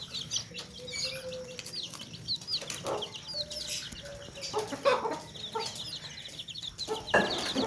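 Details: Baby chicks in a basket, with hens clucking: a busy stream of high, thin, downslurred peeps overlapping without pause, a few lower drawn-out hen notes and soft clucks underneath, scattered knocks and rustles.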